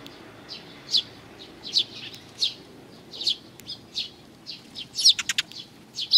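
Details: On 29 May 2020, sparrows come for food at a Tenmangu shrine's front approach, chirping in high, slurred notes roughly every second, with a brief flurry of wingbeats midway and a final loud chirp.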